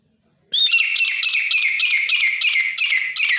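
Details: Grey francolin, a wild-caught desi bird now kept at home, gives a loud, harsh, high-pitched call that begins abruptly and repeats as a rapid series of strident notes, about three each second, with no other sounds.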